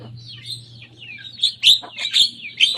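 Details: Young Javan myna copying rivals' songs: thin, sliding whistles followed by sharp, loud squeaky notes repeated in quick succession, with a faint low steady hum at the start.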